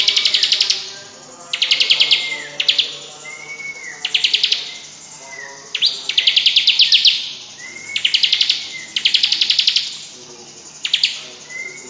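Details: Tame bar-winged prinia singing energetically while being played with by hand; bursts of rapid, high buzzy trills alternate with short upslurred whistles, repeated roughly every two seconds.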